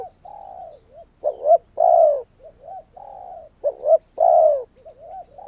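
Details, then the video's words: Caged Vietnamese spotted dove used as a decoy to lure wild doves in, cooing in low, mellow phrases: two quick rising notes then a loud drawn-out falling coo, with soft murmured coos between phrases. "Cu Gáy Việt Rút Bổi Về Chung Tàn | suara burung tekukur"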